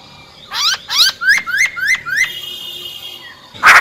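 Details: Female silver-eared laughingthrush singing in wild style to rouse males: six rapid rising whistled sweeps in an even run, a faint trailing tone, then a sudden loud burst at the end.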